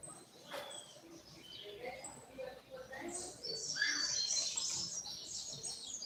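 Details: Double-collared seedeater (coleiro), a kept bird, singing the short tui tui style: a tangled burst of high, buzzy, rapidly trilled notes swelling midway, over background hiss and faint low noises.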